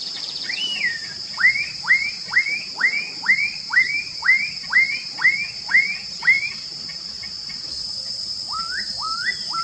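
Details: Black-capped donacobius song: a loud swooping whistle, then a steady series of about eleven sharply rising whistled notes, roughly two per second, ending in a few softer rising notes, over a constant high insect drone.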